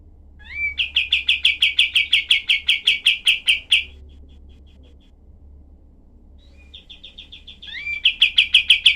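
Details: Cream-vented bulbul in harsh rapid-fire style, recorded for training other songbirds. A long burst of about twenty sharp, high, clipped notes is followed by a pause, a faint run of chirps, then another loud burst.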